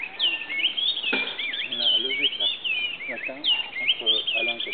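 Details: At Grand Popo in Benin, an oriole warbler gives fluid whistled notes that swoop up and down in quick succession, with low murmuring voices and a click heard beneath the calls.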